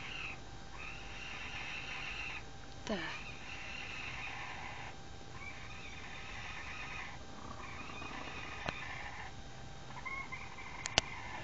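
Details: Chicken making odd sounds, recorded on an Android phone: a series of drawn-out, nasal, harmonic squawks, each held about a second with short gaps, plus a sharp click and a couple of clattering knocks.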